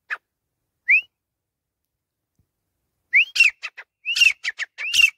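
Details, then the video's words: Grey francolin (teetar) calling: a few sharp rising whistled notes, then a quickening series of loud upslurred whistles mixed with short clipped notes, repeated in a rapid ringing phrase. "Teetar Ki Awaz | Best Voice Teetar | jungle Teetar ki Awaz | Teetar Voice"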